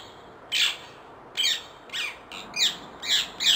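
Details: Harsh screeching calls from a wild ringneck parakeet, six rough downward-slurred notes about every half second after a short silence, background otherwise quiet.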